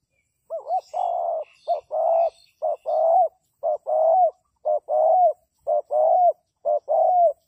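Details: Spotted dove calling as a decoy for trapping: repeated paired phrases of a short note followed by a longer mellow coo, about once per second, faint higher chirps from other birds early on.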